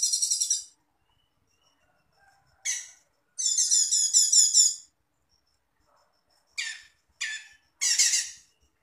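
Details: Master recording of Cucak cungkok song for training songbirds, with rapid rattling trills, a sustained buzzy phrase lasting over a second, and several short, harsh, scratchy notes in quick succession, otherwise silent.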